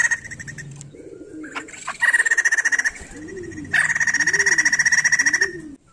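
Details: A white-crested laughingthrush, a bird that sings constantly and is used to stir other laughingthrushes to sing, delivers two long rapid pulsing chatters; soft repeated dove-like coos are heard in the background.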